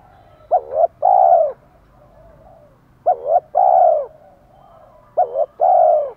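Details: Repeated spotted dove cooing from males and females, played to make a newly caught male coo at length. Three phrases about 2.3 seconds apart, each a short stuttering double note and a long, soft, steady coo.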